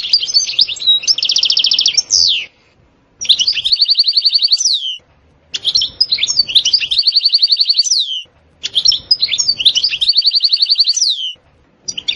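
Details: European goldfinch performing a very motivating 'sitsita' and 'betbeta' song: repeated phrases, each opening with twittering notes, then a long buzzy rattling trill and a falling slur, returning about every three seconds.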